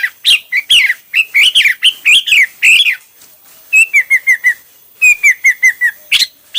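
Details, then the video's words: Hwamei with a many-styled song: lively rising and falling whistled notes, then two series of four or five repeated downslurred whistles separated by short pauses. "Coob quaj ntaus yam (Hoạ mi hót nhiều kiểu hay)"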